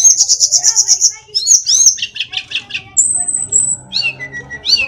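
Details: Mountain tledekan (sulingan) from Kokap, Kulon Progo, Yogyakarta, capable of imitating varied birdsong: a fast high rattling trill, buzzy chattering, a long thin very high whistle, then short down-slurred notes and a steady low whistle.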